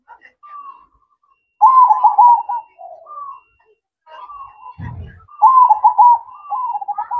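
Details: Nocturnal manggung song of a zebra dove: strong trilled coo phrases around quieter cooing notes, broken midway by a short dull knock.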